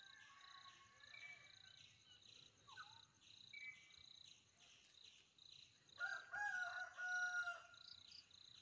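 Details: Indian peafowl in Kerala: a loud, harmonic, drawn-out call rings out near the end, preceded by fainter calls, over steady rapid insect pulsing.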